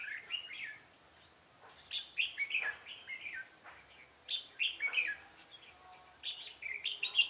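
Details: Red-whiskered bulbul song during a trapping session, Vietnam, 13 March 2017: loud lively phrases of swooping whistled notes, about every one to two seconds, with a few dull knocks.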